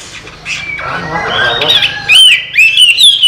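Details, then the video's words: A trained Chinese hwamei that flies out of its open cage and returns sings loud, clear whistled notes sliding up and down, after a murky, muffled start with faint human voices. "Họa Mi Hót"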